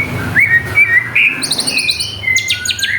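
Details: Greater green leafbird lure song, jamtrok, intended to make rival birds sing: short slurred whistles, then a rapid run of high buzzy ticks and a drawn-out whistle against a light hiss.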